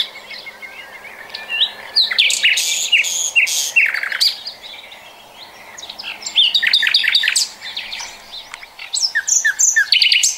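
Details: A common nightingale sings, 2020 recording: dense runs of sharp, rattling notes and crisp chirps in uneven bursts, a brief lull mid-way, then more rapid clicking phrases; a faint low hum persists throughout.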